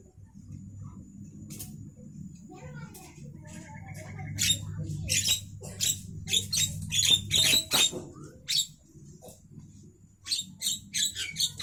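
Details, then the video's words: Midday song of a javan myna: a long run of rasping, clicky, broadband bursts in irregular rapid series, loudest in the middle stretch, over a low background hum. "suara asli Burung jalak kerbau Siang Hari"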